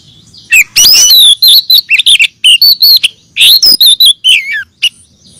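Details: Female oriental magpie-robin calling the male, used as a lure: loud clipped whistled notes and sweeping glides, rapid bursts repeated in quick succession with short gaps, some notes rising and falling, quiet background between phrases.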